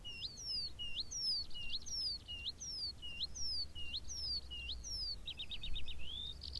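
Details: High bird song on the moor, where a skylark sings: a sweet swooping phrase of falling then upturned whistles repeated about eight times, then a quick rattling trill and a rising note, over low wind rumble.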